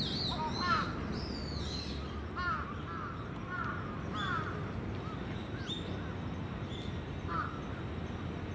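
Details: Evening roost of crows on a terrace, young and adult birds mixed; scattered hoarse caws from several birds, plus a few higher squealing calls early on, with a low background rumble.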